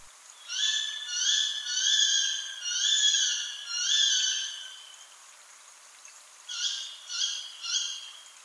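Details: Tawny Owl in German woodland giving its sharp, harsh 'ke-wick' (kuwitt) call, distinct from its song, five in quick succession about a second apart, then three more after a short pause.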